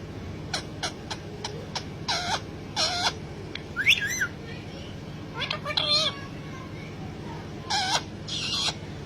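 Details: A talking pet parrot mixes short clicks and noisy chattering syllables with a few warbled squeaky phrases, fairly quiet against a constant low hum.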